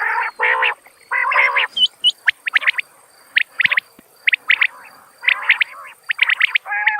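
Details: Calling common quail: two loud raspy bursts open, followed by scattered sharp, high, clicking notes in groups of two to four, with a faint steady high hiss in the background.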